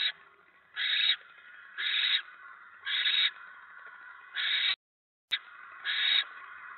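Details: During a November 2017 evening mouse delivery at a barn owl nest, five harsh hissing bursts about a second apart, then a brief total dropout and one more hiss.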